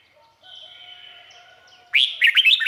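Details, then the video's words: Red-whiskered bulbul from Thailand: a faint lingering whistled echo, then a loud burst of quick tumbling chirped notes at the end. "เสียงนกกรงหัวจุก สำหรับต่อ หรือ เปิดให้นกคึก เสียงเพราะๆ"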